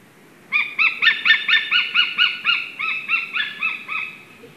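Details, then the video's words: Paired white-tailed eagles at the nest in Slītere National Park, Latvia, giving their love song: a loud series of about fifteen sharp, yelping, harmonic-rich notes repeated roughly every quarter second, slowly fading toward the end. "Mīlestības dziesma"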